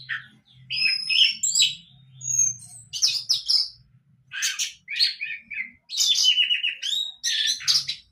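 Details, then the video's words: A juvenile orange-headed thrush rehearsing its 'mabuk' singing style in a long, varied medley: short whistles, raspy chatters, rapid stuttered trills and squeaky notes, broken by brief pauses. A low background hum comes and goes. "Burung Anis merah muda belajar mabuk"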